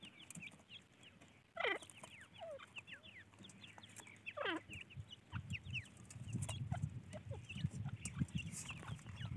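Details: Francolin chicks calling with scattered thin descending chirps and two loud falling peeps early on, while low rumbling noise grows through the second half.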